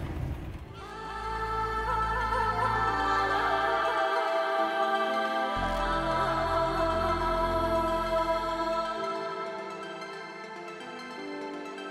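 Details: Soft, sustained instrumental music with layered tones and a steady low drone; no animal voices can be picked out.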